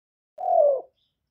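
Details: Spotted dove, a young male kept as a cage bird, calling loudly. A single short, low, hollow coo slurs gently downward for about half a second in a clean, quiet recording with no other sounds.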